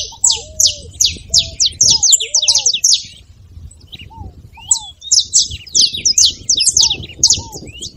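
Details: Saffron finch song for stimulating another bird: two dense bursts of sharp, high downslurred notes separated by a pause of about two seconds, with soft low whistles below.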